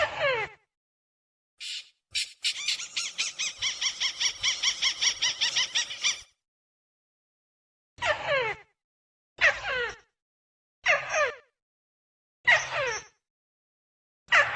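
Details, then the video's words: Trapping lure call of the rufous-fronted prinia: a long, fast, buzzy rattle of rapidly repeated notes lasting several seconds, then separate brief bursts of steeply falling, harmonic-rich notes spaced about one and a half seconds apart. "SUARA PIKAT BURUNG TIKUSAN"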